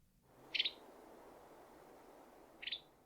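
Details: A flock of Western Tanagers feeding on small figs in evergreen tropical forest in February gives two quick, dry, high chattering calls between bites, about two seconds apart, over a soft, steady forest hiss.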